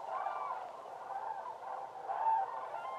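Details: A distant crowd of cranes at Laguna de Gallocanta, Spain, in December 2013, calling together in a steady wash of overlapping rolling, trumpeting honks that swells near the end.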